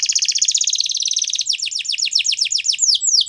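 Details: Belgian canary singing: a fast, buzzy high trill of rapidly repeated notes for about a second and a half, then a run of sharp downward-sweeping whistled notes, about four per second.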